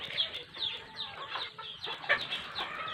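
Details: Pet black oriole (kilyawan) being fed in Bicol province, Philippines, gives harsh, scratchy calls repeated about twice a second, with faint background hiss.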